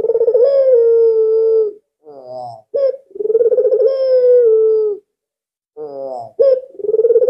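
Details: Albino collared dove, kept as a calling lure, repeats its low coo phrase: long level hooting tones broken by short rising rolled notes and a rapid vibrating onset, about three phrases.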